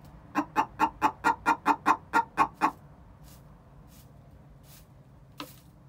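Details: Two six-month-old hens before laying; ten quick evenly spaced clucks in a row, then near silence with faint soft sounds.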